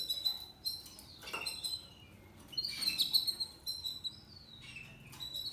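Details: Softer passage from a seven-month-old male Spanish Timbrado canary, timbrado discontinuo style: scattered high whistles and short slurred notes with gaps of near silence between phrases.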